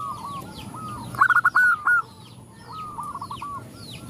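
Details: A female zebra dove calls to males as others respond: a loud burst of clipped cooing notes at about 1.2 seconds, then a quieter rolling coo phrase near 3 seconds, with high chirps of small birds behind.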